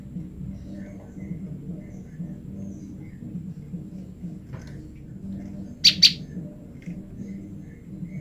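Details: A female olive-backed tailorbird, separated from her male, calls repeatedly for her mate, giving two sharp, high chirps in quick succession over a steady low hum.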